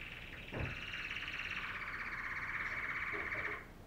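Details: Singing female canary delivering one long, even, rolling trill lasting about three seconds after a brief click, over steady room hiss.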